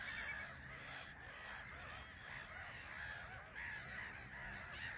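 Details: At RSPB Frampton Marsh, a bustling black-headed gull colony on a small island, birds landing and departing; continuous overlapping harsh screeches with a few louder bursts near the start and end.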